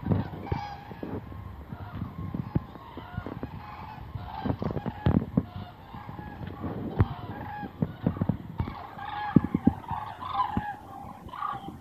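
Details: Hundreds of migrating common cranes fly south over Meerssen, the Netherlands, on 9 November 2014 at 2:04 pm, giving overlapping, rolling trumpet calls, thick and continuous, over steady low rumbling background noise.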